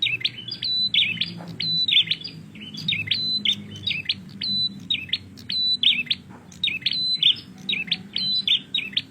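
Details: Lively prinia song in rapid bursts of high, clipped chirps and short whistles, each phrase briefly rising and falling and repeated at a brisk, uneven pace over faint low rumble.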